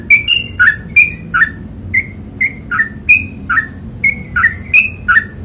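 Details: Sooty-headed bulbul delivering 'ropel panjang', a long rapid song used for tutoring, as an even string of bright whistled note pairs, roughly three each second, stepping between higher and lower pitches over faint low hum.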